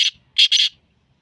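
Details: Sindhi black francolin: a short harsh note followed by a paired, scratchy double note, rough and broadband, in a quiet setting.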